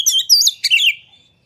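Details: White-rumped shama song used to provoke other shamas into singing, a lively bird with fanned tail; two fast bursts of varied whistles and sharp chirps sweeping between high and mid pitch, ending abruptly in silence.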